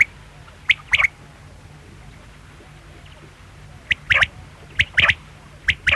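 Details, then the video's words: Quail uttering brief, sharp, high notes singly and in quick pairs, a pause of nearly three seconds, then a fresh burst of clipped doubled notes. "Quail sound|Batair ki awaz|bedana ovozi|бөдөнө үнү|перепелиный звук|بٹیر کی آواز"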